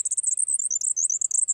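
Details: A Grasshopper Sparrow at Crex Meadows, Wisconsin, on a hot 16 May 2023 in open savanna gives its alternate song: a very high, thin, squeaky jumble of rapid notes that runs on without a break, instead of its usual insect-like buzz.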